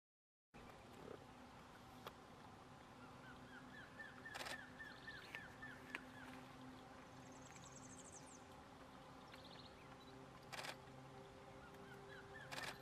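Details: A single White-bearded Antshrike vocalizes by a roadside in Iguazú National Park, Misiones, on 23 August 2018: a steady series of about a dozen short, downslurred mid-pitched notes; other birds call higher, over a low hum and sharp clicks.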